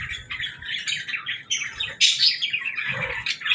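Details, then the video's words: Pet budgerigars give a run of short scratchy chirps and squawks in uneven bursts, with a louder harsh burst at two seconds and some low background rumble. "Bird Chirping Sound 🐦🎶 | Cute Pet Birds 🥰"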